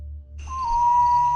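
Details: At dusk a Common Potoo in tropical woodland of Central or South America gives one long, mournful whistle that sags slightly in pitch over a faint musical drone; the species calls from sunset until dawn.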